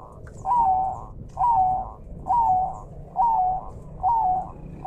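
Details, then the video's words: Bangkok zebra dove, a captive training recording, cooing five soft, evenly spaced phrases under a second apart, each rising then sliding down, over rushing river water and forest ambience. "masteran burung perkutut bangkok jernih gacor"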